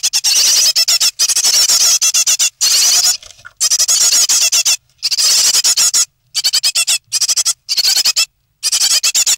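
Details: Great tit chicks, three remaining nestlings near fledging, recorded 9 May 2017 in their nest: shrill, high squeaky calls in bursts of rapid pulses, separated by short silent gaps.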